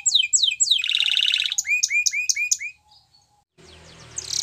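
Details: Canary rolling out quick descending notes, a dense buzzy trill, then a string of repeated rising whistles; after a short pause, a burst of rustling noise follows.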